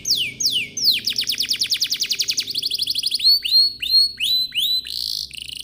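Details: Canary lure song meant to start other canaries singing: sweeping downslurred whistles, a fast rolling trill of repeated notes, then upswept whistles and a short buzzy phrase.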